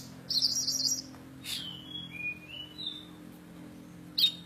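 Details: Oriental magpie-robin, kacer poci from Java, Indonesia, singing vigorously: a loud buzzy rattle, then clear whistled notes sliding down and holding steady, ending in a sharp high note over a faint low hum.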